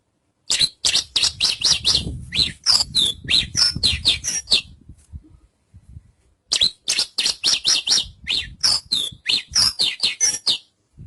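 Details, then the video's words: Javan bush lark singing: two long runs of rapid, sharp, high chirping and buzzy notes, about four per second, with a short silent pause between the runs and faint low rumble underneath. "Suara Burung Branjangan"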